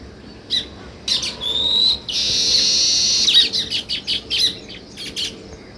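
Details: Sparrow chirping: separate sharp chirps, a thin rising whistle, a short loud burst of massed twittering, then quick irregular chirps fading into quiet.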